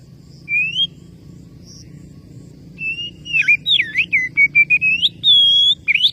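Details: Oriental magpie-robin calling a rival: an opening rising whistle, a pause, then a rapid phrase of level whistles, deep swooping slurs, short stepped notes, a long pure tone and a rising ending flourish.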